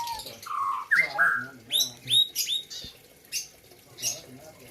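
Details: Melodious white-rumped shama, a contest bird from Gayo, Aceh, singing in 2021: low whistles and slurred notes followed by sharp rising chirps, fading to sparse high calls.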